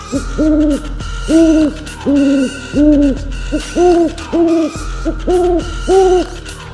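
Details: Owl hooting steadily, with short hollow notes repeated about every half second, some slightly higher than others, over a low steady music drone.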